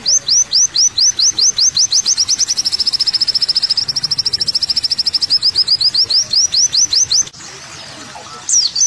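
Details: Olive-backed sunbird singing: repeated sharp high downslurred notes, then a fast steady chattering trill and more slurred notes, ending in a brief quieter pause with a faint final note.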